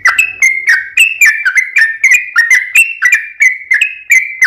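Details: Lure recording of a yellow-vented bulbul singing in long 'ropel' style: a steady, rapid string of short, bright whistled notes, about three per second, alternating slightly higher and lower, without pause.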